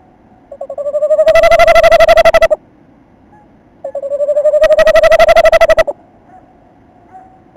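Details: Male tawny owl visiting its nest site on 27 December, with the female outside the entrance. Two long wavering notes, each about two seconds long, rise slightly and then quaver rapidly, separated by a short silence.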